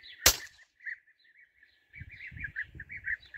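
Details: European bee-eaters during a hunt: a loud gunshot crack opens, followed by soft rolling, trilled calls repeated in a steady chain, with rustling and low thumps in the background.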